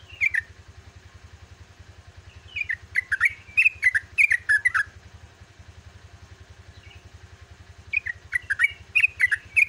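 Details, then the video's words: Dawn song of a yellow-vented bulbul in long 'ropelan' phrases: a short burst, a pause, then a lively run of slurred, bubbly chirps, a lone soft note, and another chattering run, all over a steady low engine hum. "TRUCUKAN GACOR ROPEL"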